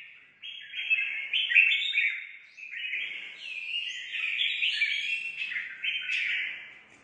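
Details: Red-whiskered bulbul newly brought in from the forest, singing competitively: a near-continuous run of rich warbled phrases sliding between mid and high pitches, with brief dips in loudness between phrases over seven seconds.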